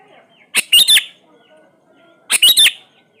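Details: Sooty-headed bulbul (kutilang) repeating a short, punchy phrase of three quick whistled notes twice, about two seconds apart, as a lure for birds slow to sing.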